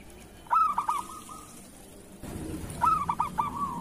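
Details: Kerot-style song of a local zebra dove, played to coax lazy or moulting doves into singing: two rolling phrases of rapid, bubbling coo pulses about two seconds apart, with soft background hiss rising midway.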